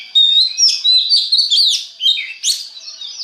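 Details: Oriental magpie-robin (kacer) song used as a lure to stimulate other magpie-robins to sing: rich, varied whistled phrases with rising and falling sweeps and sharp chirps, delivered in quick bursts with short pauses.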